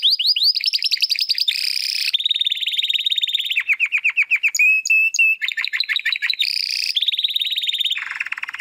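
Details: Young Spanish Timbrado canary searching for its full song delivers a continuous medley of rapid rolling trills at shifting pitches, descending slurred notes and brief piping tones, changing phrase every second or so.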